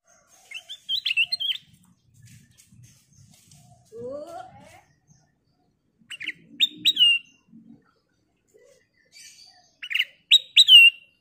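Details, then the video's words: Golden bulbul (kutilang emas), a lively singer used to prompt other birds to sing. Short bursts of bright chirped notes with upward-flicking whistles come in three spaced groups, separated by quiet stretches with faint low rustling. "Burung Kutilang Emas Gacor suara kristal Cocok buat Pancingan"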